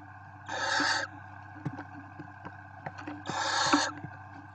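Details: Barn owl at a nest in Ávila, Spain, with chicks tagged: two harsh, hissing screeches, each about half a second and roughly three seconds apart, with faint clicks and a low hum between them.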